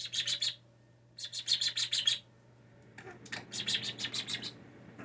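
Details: Hand-reared young blue jay kept indoors after falling from its nest, a bird that mimics words and sneezing; three bursts of rapid, bright, high-pitched chirps, each of about six notes, separated by short pauses over a faint room hum.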